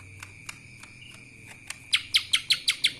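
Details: Scattered faint ticks, then a lesser green leafbird delivers six loud, sharp, evenly spaced chirps in kapas tembak style, roughly one every fifth of a second, over a constant high whine.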